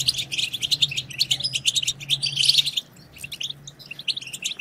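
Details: Goldfinch twittering (batbata) to spur other goldfinches to sing. A loud, busy run of high tinkling chatter lasts nearly three seconds, then sparser twitters follow, with a low hum underneath.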